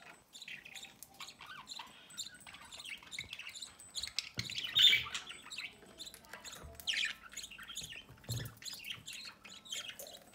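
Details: Budgerigar pair feeding their chick from the nest entrance at home; busy mix of scratchy chirps, warbled chatter and sharp squawks, with a few soft low thumps.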